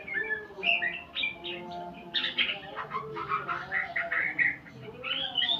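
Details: White-rumped shama (murai pastol) learning new sounds alongside tutoring recordings: a varied run of whistled and chirping notes, some rising, some falling, in quick, uneven bursts, over a low steady hum.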